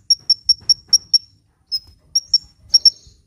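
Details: Sunbird song used for luring birds and prompting lazy birds to sing: six evenly spaced sharp high chips, a pause, then a few slurred descending notes and paired chips.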